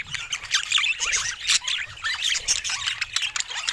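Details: Pet budgies in lively group chatter, quick wavy warbles and chirps running together in a dense, high, nonstop twitter with brief sharp clicks.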